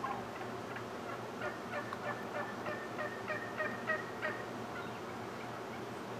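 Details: Morning wild turkey flock while the male performs his display dance: an irregular string of short ringing notes, several each second, fading in the final seconds against a low background hum.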